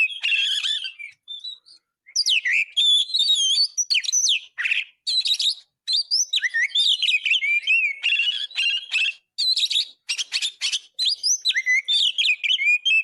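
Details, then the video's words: Constantly singing Oriental magpie-robin, recorded as a song tutor: loud bursts of varied whistled phrases, quick slurred notes and harsh rattling chatters, separated by brief pauses, high and sweet. "Masteran isian ful burung kacer gacor"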